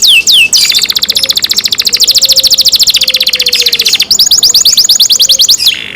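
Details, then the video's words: Kept canary singing loudly: two quick downslurred notes, then a long, fast, even trill that continues for over three seconds before shifting to a slower series of repeated sweeping notes. "canary Nice sound"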